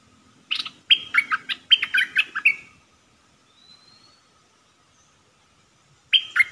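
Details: Decoy red-whiskered bulbul kept in a cage for trapping, 'dok taeng' song style, 1 September 2021: a rapid string of rich whistled and warbled notes for two seconds, a pause, then the phrase starting again.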